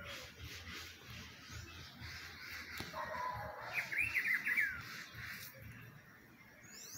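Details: Spring recording of a rufous-browed peppershrike: a single rollicking whistled phrase of fast up-and-down notes midway through, with broad hissing background and a low hum.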